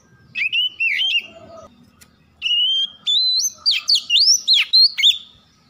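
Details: Singing white-rumped shama, a lure recording to prompt birds to sing: looping whistled phrases early on, a short pause, then a fast series of sweeping, rising and dropping rich whistles in quick succession.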